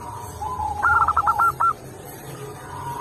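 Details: Local zebra dove (perkutut) delivering one short song phrase: a soft lead-in coo followed by a quick stuttering series of clipped cooing notes ending on a longer note.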